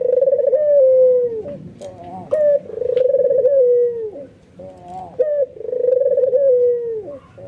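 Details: Nodding, worked-up albino white ringneck dove that gets other doves cooing: three drawn-out, vibrating coos that ease downward at the close, separated by brief sharp notes and soft clicks.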